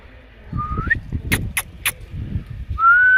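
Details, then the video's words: A pet green Indian ringneck parrot gives two clear, pure whistles, each sliding upward, with three sharp clicks or taps between them and a soft low rumble underneath. "Natural Indian ringneck parrot talking sound/ Green toota mitthu Parrot chirping sound"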